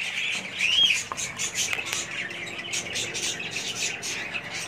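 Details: Pet budgerigars kept as a family group, giving a brief high whistled note amid dense, continuous chirping and twittering chatter.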